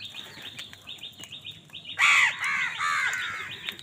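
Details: Angry house crow competing with wild birds for food: soft chirping from other birds, then at two seconds a sudden loud, hoarse caw running into a rough, drawn-out grating call.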